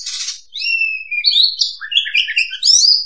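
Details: Trapping-lure song of the oriental magpie-robin (kacer): a short harsh burst, then long thin whistles and a tumbling run of twittering, slurred notes climbing to a high ending.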